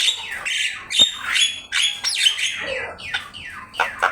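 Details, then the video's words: Vigorous Javan myna song from a training master: squawky, buzzy phrases with sliding whistles that dip and rise, broken by sharp clicks, delivered in quick uneven bursts. "Suara jalak kebo gacor"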